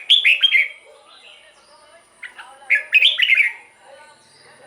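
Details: Song of a caged red-whiskered bulbul, played to rouse other cage birds: two bursts of quick, bright, warbling phrases about two seconds apart, with softer lower chirps and a faint high tone between them.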